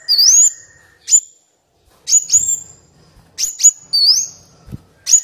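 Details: Black Sunbird training song for captive birds, also used to lure wild birds; quick high whistled chirps and twisting notes in clusters, with brief silences between bursts.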